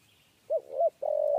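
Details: Spotted dove, 'kuk 3' type. Two rounded rising-falling notes run into a sustained low coo. The surroundings are otherwise quiet.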